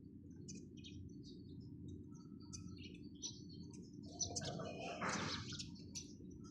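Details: Sparrows chirping: short scattered high tweets, with a brief louder burst of chatter near the end, over a steady low rumbling hum.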